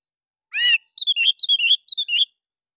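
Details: Oriental magpie-robin singing in an excited fighter style that provokes other birds and copies bulbul sounds; one harsh buzzy note, then a run of short bright whistled phrases, quiet surroundings.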